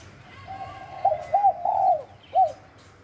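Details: A wild spotted dove at Bang Bai Mai, Surat Thani, Thailand, gives a soft lead-in coo, two quick arched notes and a long drawn falling note. One more short rounded coo follows after a pause.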